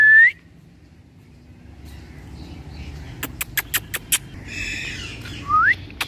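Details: Pet Indian ringneck parakeet (Psittacula krameri manillensis) in India giving two loud, rising whistles, one at the start and one near the end, with five sharp clicks and a nasal chattering burst between them.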